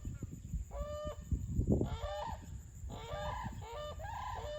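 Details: A couple of brolgas that had been dancing at Crossing Falls, Kununurra, Kimberley, Western Australia, give loud, harmonic trumpeting calls in four bursts, each a rapid series of falling notes, over steady low rumbling wind noise.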